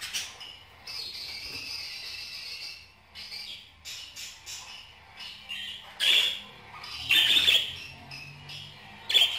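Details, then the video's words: Budgerigar warble starting as a soft, even, high twittering, then louder harsh squawk bursts near 6, 7.3 and 9.3 seconds. "اصوات طيور البادجي"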